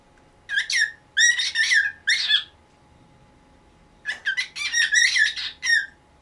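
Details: Pet cockatiel aged about nineteen years, kept indoors, squawks in the morning to get its cage cloth removed: two harsh, rasping clusters of rapid screechy notes separated by a quiet gap.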